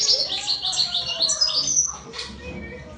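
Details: European goldfinch giving a rapid run of high, bright twittering notes and short trills, fading toward the end.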